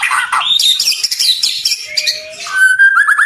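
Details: White-rumped shama song, 2024 tutoring recording for captive birds: dense, varied jumble of high chirps and squeaky notes, ending in a clear sustained whistle.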